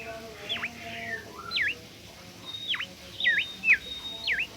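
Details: Bimoli bird singing energetically: clear whistled notes that swoop sharply down and back up, repeated about six times at irregular intervals, with faint quieter whistles between.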